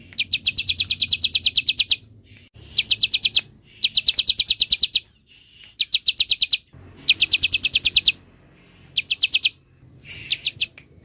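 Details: Repeated bursts of fast, high chirping from a bar-winged prinia, six runs of rapid downslurred notes separated by short silences, played as a lure and master recording for songbirds.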